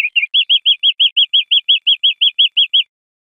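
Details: European greenfinch singing on a tutor recording for cage birds: a brief stutter, then about fifteen bright chirped notes at an even rapid pace against silence.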